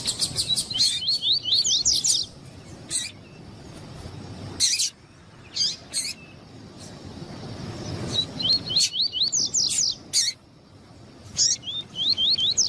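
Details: Double-collared seedeater, tuí-tuí style, alongside a calling female meant to warm up the male: bursts of rapid, high, rising slurred notes repeated in fast series, separated by pauses and loud clicking knocks.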